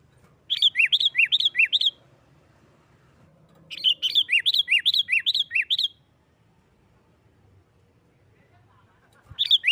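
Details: Sooty-headed bulbul singing in an energetic 'nggaruda' fighting style meant to provoke other bulbuls: two bursts of rapid alternating high and lower chirped notes, about six to eight per burst, separated by quiet gaps, with a third burst starting at the end.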